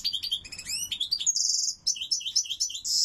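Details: A goldfinch sings loudly with sweeping upward slurred notes, twittering phrases and a short buzzy trill, the notes coming rapidly in a continuous flow.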